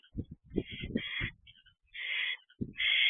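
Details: Owlet of the barn owl flapping its wings in the nest box doorway, 13 June 2023, evening; low muffled thumps and rustles open, followed by long raspy hissing screeches.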